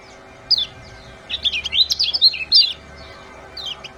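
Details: Bird chirping used as a lure to stir birds that are lazy to sing: quick high sweeping chirps, a dense burst of sharp notes in the middle, then a lone downslurred chirp near the end, with low background hum.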